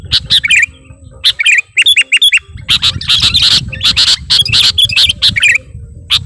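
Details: Sooty-headed bulbul singing at a rival, with clipped chirp groups, a quiet gap, then a loud dense burst of chattering notes, over a soft low rumble.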